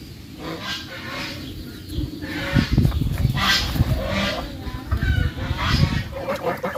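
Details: Bangladeshi geese walking on land and swimming: loud, harsh honking calls in irregular bursts over several seconds, with low rumbling background noise throughout.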